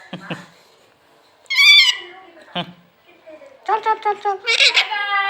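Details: Green talking parrot, kept as a pet, with a person's speech at first, then a loud nasal squawk, followed by a stretch of raspy chattering, rapid harsh notes and a shrill cry.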